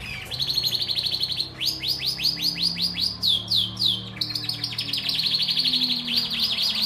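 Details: Canary song used to prepare females for mating: rolling trills of rapidly repeated notes, shifting between tours of sweeping upslurred whistles and faster buzzy rolls, loud and continuous with a low background hum.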